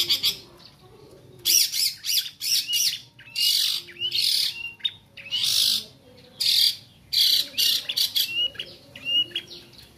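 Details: Bar-winged prinia youngster learning its voice: loud, raspy, buzzy bursts alternating with short high chirps, delivered in an irregular stuttering series with brief gaps between phrases.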